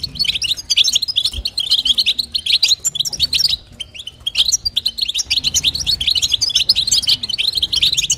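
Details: European goldfinch female uttering batbata and sastasa calls to stimulate the male: a continuous stream of quick, high, buzzy twitters, briefly thinning around three and a half seconds before resuming.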